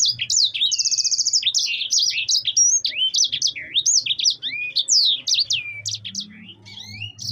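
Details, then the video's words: A yellow-fronted canary sings a fast, unbroken stream used as master song: it opens with a rapid rolling trill, then runs into high, varied whistles, slurs and chirps with no pause. "suara burung sanger gacor"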